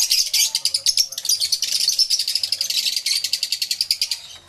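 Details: A dense, unbroken stream of high, piercing chirps pulses several times a second from numerous aviary lovebirds, some of them yellow-collared.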